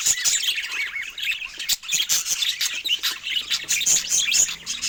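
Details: Budgies chirp over their fruit with quick rising whistled notes and buzzy chatter, delivered in short pulsing bursts.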